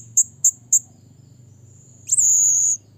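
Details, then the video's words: Blue-crowned hanging parrot calling a rival: three sharp, very high ticks in quick succession, then a long, piercing drawn-out whistled note over a low background hum. "burung serindit bunyi memanggil lawan"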